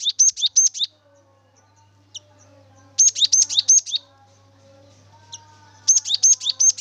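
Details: Cinereous tit singing as a lure to prompt another bird to sing: three bursts of quick, sharp, high doubled notes, each whistle dropping to a lower chip, with a couple of faint single calls in the pauses.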